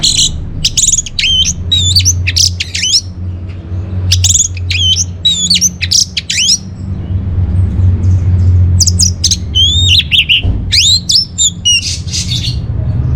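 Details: Orange-headed thrush song, the kind played to lure caged birds into singing and to teach them. Rich, fast, varied phrases of slurred whistles and squeaky notes arrive in three long bursts with brief pauses, over a steady low hum.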